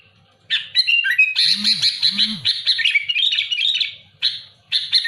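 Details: Sooty-headed bulbul singing loudly and actively to challenge rivals: bright, bubbling whistled phrases mixed with harsh raspy chirps, running almost continuously after a brief quiet start, with two short low arching sounds near the middle.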